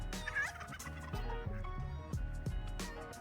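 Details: A male turkey showing off his feathers gobbles in rapid, gurgling rattles of low notes in quick bursts, amid ducks, chickens and a rooster in a Providence Village, Texas, neighbourhood; a steady low hum and other sounds behind.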